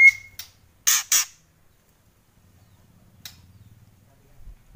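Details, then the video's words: A white-rumped shama's kretekan: a short whistled note, then two loud harsh rasps back to back, followed by silence and one faint rasp. "Kretekan Murai Keras"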